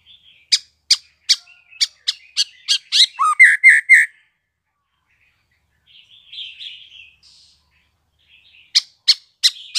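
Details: Newly fledged young white-rumped shama, spotted juvenile, calling: a run of sharp clicky ticks about four a second, then buzzy rasping notes with a short low downslur, a pause with soft chatter, then more ticks.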